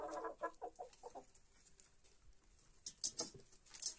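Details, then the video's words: Chickens at the feeder at first light: a quick series of short clucks at the start, then quieter pecking, with sharp clicking taps near the end. "gallinas comiendo"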